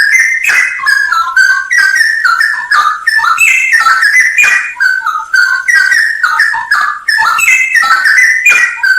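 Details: Straw-headed bulbul delivering a full 'isian nembak' masteran song: continuous loud, mellow, gurgling whistles in quick tumbling phrases with sharp up-and-down slurs, barely pausing for the whole stretch.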